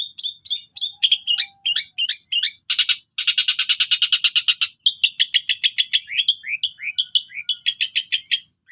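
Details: Mimicking long-tailed shrike in full song with cililin and sparrow imitations: quick high chirps, then a dense rattling buzz lasting nearly two seconds, followed by a rapid stream of sharp, slurred notes.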